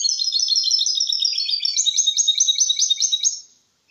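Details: Loud, clean Malaga-style song from a caged goldfinch × canary hybrid, used to stimulate males and teach chicks: a dense run of high rattling, buzzy repeated syllables lasting about three and a half seconds, then silence.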